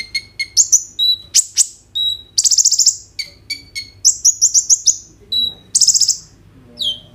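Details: Ruby-cheeked Sunbird singing energetically in captivity as a lure to prompt konin birds to sing, phone recording: dense, high-pitched buzzy rattles alternating with sharp clicks and short thin whistles, delivered in fast, closely spaced phrases.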